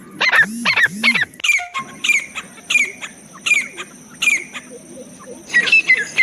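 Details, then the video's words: Francolin (teetar) calling in jungle, used as a hunting sound: a loud burst of harsh, descending chirped notes, then a steady run of short sharp notes repeated about twice a second over a faint high ringing tone. "francolin calling voice jungle,teetar Shikari sounds"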